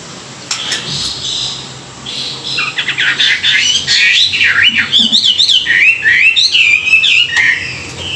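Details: Chinese hwamei singing in the morning, a recording used for song training and to stimulate newly caught birds; after scattered chirps comes a loud, continuous run of varied whistled phrases, swooping up and down with rapid slurred notes, over faint background hum.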